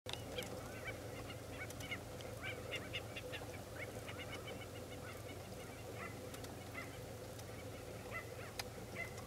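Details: White-backed stilts giving many short, nasal, yapping call notes, several birds overlapping in quick irregular bursts, over a steady low rumbling hum.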